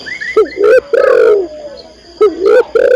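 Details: Female spotted dove calling the male with loud, low, rounded coo notes in two phrases separated by a short pause.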